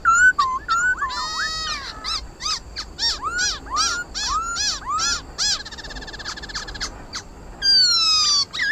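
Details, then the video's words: Black-throated laughingthrush in contest song, used to stir other birds into singing: loud slurred whistles sliding up and down, a harsh nasal buzzy passage, then quick arched whistled notes and a final rising rattly phrase. "Tiếng khướu mun hót đấu"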